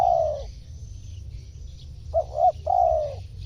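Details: Spotted dove call used as a lure to draw wild birds: a low, drawn-out coo sliding downward, a pause of over a second, then two short soft coos and another long falling coo, over a faint low rumble.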